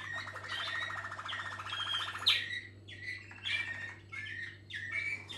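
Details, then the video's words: Waterslager canary, also called Malinois, singing indoors: a fast rolling trill followed by bubbling, watery warbled phrases, over a constant low electrical hum. "malinois Waterslager"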